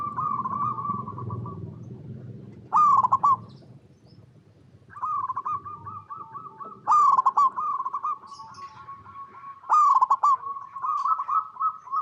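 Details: Local Indonesian zebra dove singing a lure song meant to set other zebra doves calling: soft, rapid stuttering coos on a steady pitch, with louder rolling bursts about every three to four seconds and a brief pause; low rumbling noise at the start.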